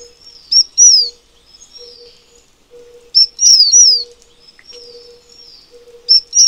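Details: High whistled phrases from a Taiwan fulvetta, each a brief note then one or two downward-slurring whistles, recur about every three seconds. Softer thin notes sit in between, with a steady low hum below.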